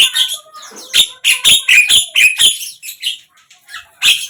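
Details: Javan myna song from a morning, midday and evening series: a string of squeaky, grating notes with a few clear whistled slides, delivered about twice a second, fading to softer chatter before a final harsh note.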